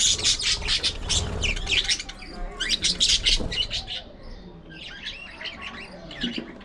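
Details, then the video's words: Captive budgerigars playing, fighting, grooming and chattering together: dense bursts of rapid high chirps and scratchy warbling for the first four seconds, then softer twittering trills and short squeaks. "Budgies Unfiltered! Love, Fights, Fun & Chatter All Day Long"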